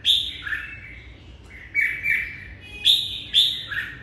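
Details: Red-whiskered bulbul singing to greet the morning: bright whistled phrases of short notes stepping between high and mid pitch, in bursts about every second, with a faint low background hum.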